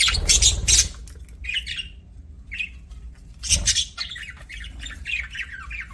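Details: Budgies chattering: loud harsh squawky bursts at the start and middle, separated by short chirps and buzzy warbled notes, with a low rumbling background throughout.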